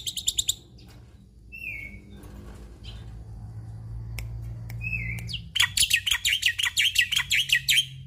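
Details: Black-winged myna (Sturnus melanopterus) in full varied song used as a training recording: bursts of fast chatter, two slurred high whistles, then a long run of rapid harsh repeated notes, over a low steady hum.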